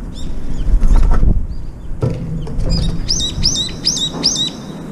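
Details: Brown-eared bulbuls visiting a window feeder, two or three at a time gathering around the food bowl; after some soft rustling and thumps, a run of five sharp, high, hooked notes repeats quickly and evenly.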